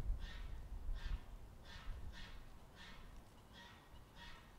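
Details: A possibly leucistic greylag goose, or perhaps a hybrid, with unusual head and neck colouring, gives seven short nasal, harmonic honks about two-thirds of a second apart over steady low wind rumble.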